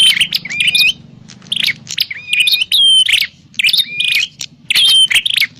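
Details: Prinia call played to lure birds for trapping: clusters of harsh chirps with thin high whistles and short flat whistled notes, about five bursts separated by brief pauses; soft low droning underneath.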